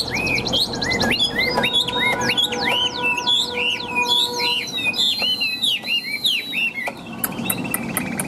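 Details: Chinese hwamei, a tame bird that sings constantly in a loud, striking voice: a lively series of hooked, bouncing whistles, then long sliding notes and a few sharp high clicks at the end.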